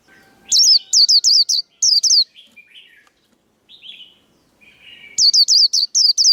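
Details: Training recording for cage birds of a Japanese white-eye's 'líu đấu' fighting song. Quick runs of high, piercing, repeated chirps bracket a middle stretch of quieter, lower twitters.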